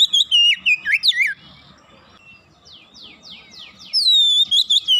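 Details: Oriental magpie-robin (kacer) in fast, full 'gacor' song, used as a lure to prompt a silent bird to sing: loud whistled phrases sliding from high to lower notes in quick bursts, then a quieter buzzy rattling stretch before the whistles return.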